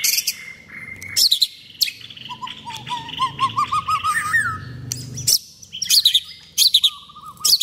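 A white-rumped shama sings rich, varied phrases of clear whistles, sharp high notes and quick rising trills.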